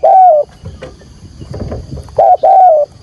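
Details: Urging 'thúc gù' coo of a spotted dove decoy, field-voice style, meant to draw wild doves to a trap: one loud mellow coo, a quiet gap with soft rustling, then a quick pair of coos, with a thin insect drone behind.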